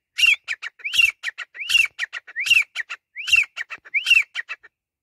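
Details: Grey francolin giving its loud repeated call: each phrase opens with a harsh rising-falling note and trails into several clipped, high notes, cycling about every 0.75 seconds in a clear, even series.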